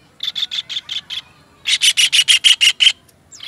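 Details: Kingfisher master call for songbird training: six evenly spaced raspy notes, then a louder run of about eight rough, rattling notes, ending with a brief falling squeal.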